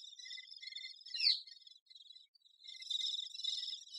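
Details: Great spotted woodpecker busy with its young: a steady high, buzzy chattering with a louder sharp downward-sweeping note near the middle, then a short gap before the dense chatter resumes.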